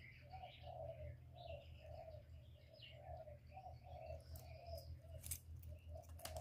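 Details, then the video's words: Spotted dove coos used as a trapping lure, a steady run of soft low notes repeated about twice a second. Other small birds chirp and twitter higher up, with a low hum and some clicks. "Tiếng cu gù cực chuẩn dùng đi bẩy, kích chim nhà hiệu quả"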